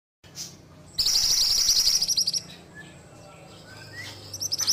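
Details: Ashy tailorbird song: a loud, high, fast trill lasting about a second and a half, then quiet with a few faint notes, and another trill starting at the end.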